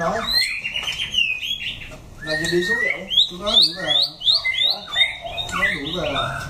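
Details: Orange-plumaged white-rumped shama giving wild-style song, a fast series of bright upslurred whistles repeated nearly three times a second after a brief pause, with some lower murmuring underneath.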